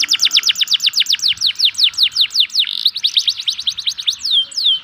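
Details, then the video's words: Local canary song to stimulate lazy canaries, a rapid run of repeated sweeping trill notes, a short buzz, then more trilling ending in drawn-out down-slurred whistles. "pancingan kenari lokal untuk kenari malas bunyi"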